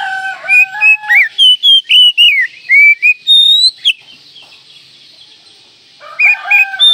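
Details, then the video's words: Oriental magpie-robin pouring out a rapid run of varied whistled notes, about three per second, some sliding up or down, then a pause before a rooster begins crowing. "Masteran Kacer Manjur Pagi Siang Malam"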